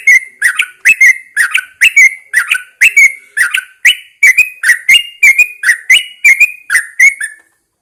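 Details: Caged Yellow-vented Bulbul taken outdoors for morning airing, singing a continuous string of loud, liquid, slightly rising whistled notes, evenly paced about twice per second, ending abruptly.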